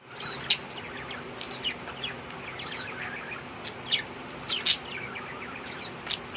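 Budgerigars chatter noisily with quick, scratchy chirps and sharp high squeaks.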